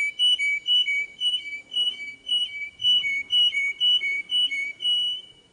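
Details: Canary singing clean, pure whistled notes that alternate between two close pitches, pulsing steadily about twice per second, with no other sounds.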